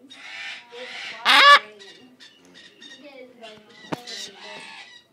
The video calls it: Baby macaws